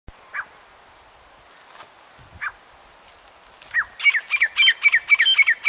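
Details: Grey francolin (teetar) calling: a few isolated sharp notes, then a fast run of loud, ringing, repeated call notes begins after a quiet stretch and builds in strength, with nearly three notes per second.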